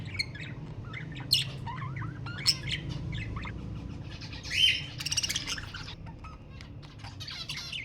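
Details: Budgerigar vocalising to prompt breeding: chirpy chatter of quick wavering squeaks, then a harsher buzzy stretch with rapid repeated raspy notes near the middle.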